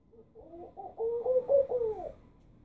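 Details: Laughing dove in central Istanbul, Turkey, a tame bird: a soft bubbling coo of about five short rounded notes that rise and fall, a brief quiet lead-in, then clustered notes lasting about a second, with light background hum.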